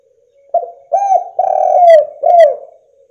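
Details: Lure call of a spotted dove, meant to make other doves start calling. A brief soft note opens, then three throaty coos, the middle one long and sliding down, the last falling. Quiet background.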